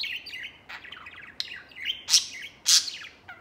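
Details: Pet white male budgie playing out of its cage, sometimes alongside another budgie; quick scratchy chatter of twittering notes punctuated by two loud, sharp chirps.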